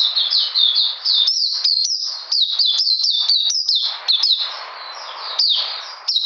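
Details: Oriental magpie-robin, a kept bird, singing in cold rainy weather on 13 June 2020: rapid runs of high, sharp down-slurred whistled notes with brief gaps, some softer passages over faint background hiss.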